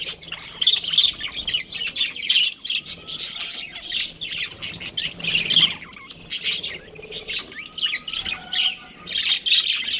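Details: Pair of breeding budgerigars producing rapid scratchy chatter and squawks in repeated bursts, with occasional thin whistled notes sliding through, continuing for ten seconds.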